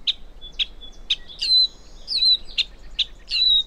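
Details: Gray Catbird, a skilled mimic of many species, delivering a fast run of loud high chirps roughly every half second, mixed with drawn-out whistled slurs and a steady thin tone running underneath.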